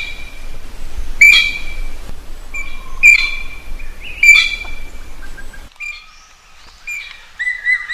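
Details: A common green magpie calling for a mate gives loud, level whistles with sharp rising strokes about every one and a half seconds, later shifting to higher piping notes, over a low rumble.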